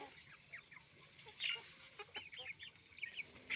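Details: A chicken farm with roosters and hens calling: sharp, upward-curving squawks and clucks in quick uneven bursts from many birds, one louder cry around the middle, over a low constant hum.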